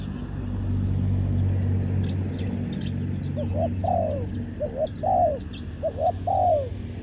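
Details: Spotted dove acting as a decoy on the ground for wild doves; after a stretch of low engine-like rumble, three cooing phrases follow, each a short doubled note and a longer falling coo, with faint high chirps.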